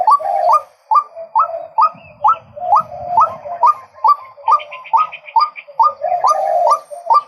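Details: Male White-breasted waterhen calling persistently: rapid rising nasal notes about twice each second over a lower droning undertone, with a brief higher chattering burst midway.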